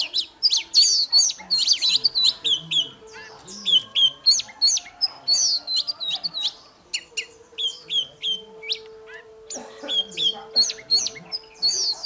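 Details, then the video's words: Morning fighting song from an oriental magpie-robin, aimed at stimulating other birds: a long, continuous, varied stream of whistles, chirps and trills, about three notes a second, with a faint low hum in the background. "Chòe than hót đấu//Kích chòe hót sáng"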